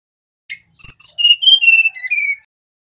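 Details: Male mangrove blue flycatcher singing a clear whistled phrase: a short opening note, then a string of sweet, slightly falling whistles that drift lower toward the end, about two seconds in all.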